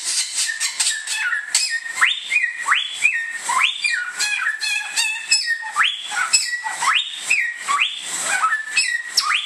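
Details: Vigorous whistled song from an Indonesian samyong, the Bare-throated whistler. Steep rising sweeps come roughly every second or two, linked by level whistles and rapid chatter, over a constant high hiss.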